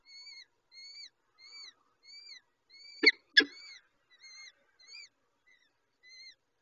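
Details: Peregrine falcon young at the nest while the adult female feeds them, giving a steady run of thin, arched, wheezy squeals about three a second, broken midway by two sharp, loud clicks.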